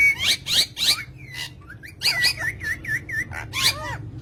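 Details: Pet green parrots giving harsh, buzzy squawks followed by a series of looping, whistled notes repeated about twice a second, then more rasping calls.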